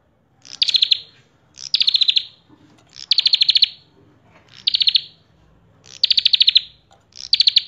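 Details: Gacor full isian song from a common tailorbird (prenjak kepala merah): six loud bursts of quick, buzzy high pulses, each about half a second long, repeated steadily every second or so.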